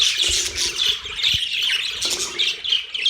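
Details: Harsh, squawky budgerigar chatter runs throughout, dense and high-pitched, with a faint low steady tone underneath and a few soft knocks.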